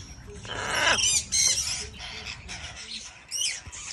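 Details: Young macaw at brunch with a companion gives two loud, raspy screeches in quick succession, then softer harsh calls, over faint chirps of other birds outdoors.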